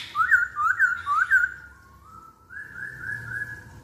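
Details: Masked laughingthrush song meant to lure other birds into singing: three clear, looping whistled phrases, then quieter, drawn-out whistles that slowly rise in pitch.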